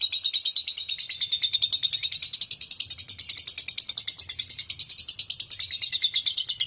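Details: Lovebird giving a long ngekek chatter, used as a lure to get other lovebirds singing: a fast, steady run of sharp high chirps packed into a continuous rattling stream, with a faint low hum beneath.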